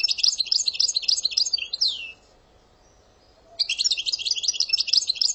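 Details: Algerian European goldfinch song with sortie and passade phrases: rapid, dense, high twittering that pauses for a downward-sliding note, then breaks off for over a second before the fast tinkling chatter resumes.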